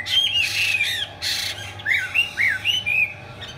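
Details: Chinese hwamei singing with spread tail and eagle-wing display; two harsh, noisy bursts followed by a series of short, curved whistled notes, over a steady low hum.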